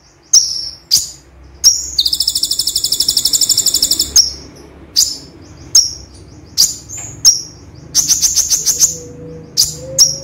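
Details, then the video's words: Konin, a gray-chinned sunbird, delivering full tembakan song that combines imitations of cililin, gereja and cucak jenggot. High sharp chips alternate with a long, dense, buzzy trill and quick stuttering rattles. "Konin Tembakan Kombinasi Cililin Gereja Cucak Jenggot - Konin Gacor Full Tembakan"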